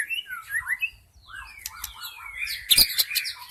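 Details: Wild white-rumped shama used to attract shamas: short looping whistles, then a series of arched, fluty notes and a long falling slide, closing with sharp high chips and a loud burst.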